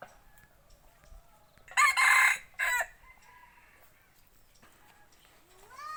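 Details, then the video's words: Selected decoy rooster kept for hunting in the forest, crowing loudly: a harsh, broadband crow in two bursts lasting about a second, then quieter tonal notes and a rising call at the end, on a quiet background. "Tiếng gáy gà mồi"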